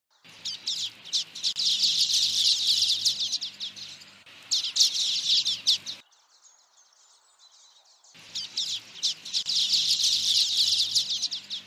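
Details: Common waxbill singing: dense bursts of high, rapid buzzy chirps and ticking notes, loud and continuous for several seconds, broken by a near-silent gap before the chatter resumes.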